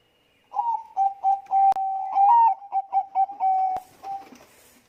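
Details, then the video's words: Zebra dove of the Bangkok perkutut type giving a lure song to stir other doves into song: a flowing phrase of quick stuttering coos with two sharp clicks, ending in a held tone and faint rustling. "suara pancingan perkutut bangkok gacor."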